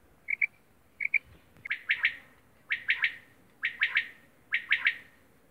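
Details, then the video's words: Quail calling in Romania: two short paired notes, then four crisp, liquid three-note phrases repeated roughly once a second, each note sharply clipped, over a quiet, steady background with no other clear sounds. "Quail sound"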